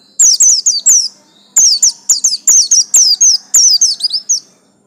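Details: Yellow-striped 'buxtomi' white-eye giving loud, rapid, high-pitched twittering song. Slurred whistled notes are strung in two long, dense bursts with a brief gap between them.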